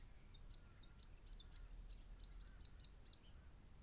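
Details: A juvenile grey fantail, recorded on 10 October 2012, gives rapid, thin, very high chips and ticks, then a few sharp, high whistled notes over a low background rumble.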